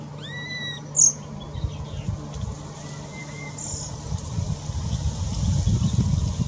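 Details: Slate-colored boubou (Laniarius funebris), song.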